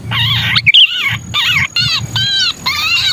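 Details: Sooty-headed bulbul distress call used as a lure for wary bulbuls: loud harsh strained chattering phrases with wavering bands, broken by short gaps, over a low rumbling background.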